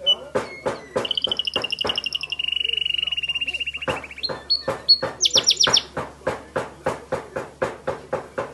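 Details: White Timbrado canary, California, in full song: snappy repeated notes, a rolling trill falling to a lower steady trill, brief high whistles, then a quick run of rising chips.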